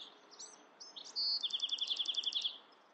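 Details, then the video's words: Bewick's wren singing: a few thin high introductory notes, a steady whistled tone, then a fast even trill of about a dozen repeated notes, with soft background hiss. "Beautiful Bewick's Wren Songs |Calling | Singing!"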